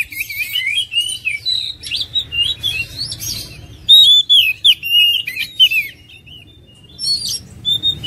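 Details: Oriental magpie-robin delivering a continuous, energetic song of melodious whistles, chattering trills and sharp high notes, briefly pausing before a few final soft whistles.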